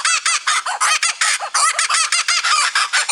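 A kookaburra's raucous, laughing cackle: harsh, rapid notes repeated about three times a second with no pause, rolling on like loud laughter.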